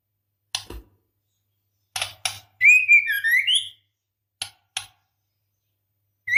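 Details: Breeding-condition female white-rumped shama calling the male. Short dry clicks come before and after a single smooth warbled whistle that slurs down and then up, and another whistle begins at the end.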